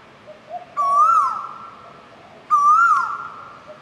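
An Asian koel gives two loud, rising whistled 'ko-el' notes, about two seconds apart, over a faint background hiss.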